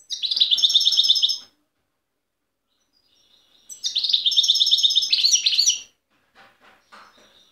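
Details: European goldfinch of Tiaret, a wild bird recorded in 2015, delivers two bursts of rapid, liquid twittering, each about two seconds long, separated by a short pause, then a few faint scattered chirps.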